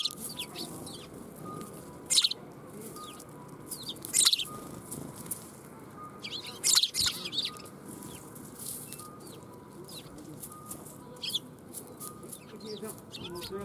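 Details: Sparrows flocking in to be fed at a Tenmangu shrine on 1 January 2021, with dense ongoing chirping and twittering, several loud bursts mixed with wing flutters, over a faint background hum.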